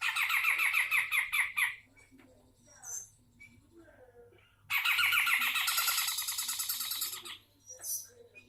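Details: Grey-cheeked bulbul from Sumatra singing loudly: two long bursts of rapid, harsh, chattering repeated notes separated by a quieter gap with a few soft calls, over a steady low hum.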